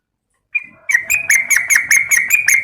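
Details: Calling female yellow-vented bulbul: after silence, one thin note, then a steady, fast series of sharp, ringing chirps.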